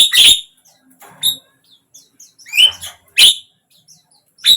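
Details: Javan myna sound played to get a silent bird to start singing; sparse loud harsh chirps separated by gaps of about a second, with faint softer notes in between.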